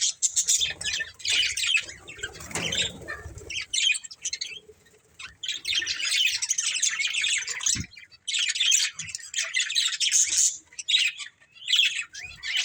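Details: Breeding pair of budgerigars twittering in repeated high, grating bursts, with a lull around four to five seconds and a few low thumps between phrases.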